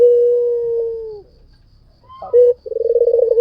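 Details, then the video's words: White dove in full song: a long, smooth, level coo slowly dies away, and after a brief silence a sharp rising note launches a fresh rolling, pulsed trill. "SUARA PUTER PUTIH FULL GACOR"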